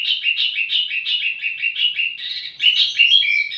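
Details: Wambi mini song for luring and tutoring tledekan: steady chattering chirps about three per second, followed by sharper, higher whistled notes at the end.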